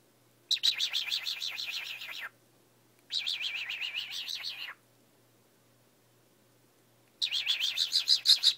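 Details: Early in the morning, a pet cockatiel makes sounds its owner had never heard before: bursts of rapid, raspy chattering notes, high-pitched and warbling, in runs of one to two seconds.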